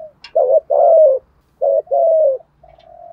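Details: Vietnamese decoy spotted dove calling to draw in wild doves, thúc gù style. Twice it gives a quick throaty two-note lead-in and a drawn-out falling coo, then a faint steady hum.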